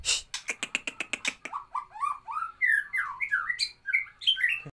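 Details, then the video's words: White-rumped shama in a competition setting, opening with a fast run of about ten sharp clicking notes, then a varied warbled string of slurred whistles rising and falling in pitch. "murai batu VENOM nembak kapas tembak"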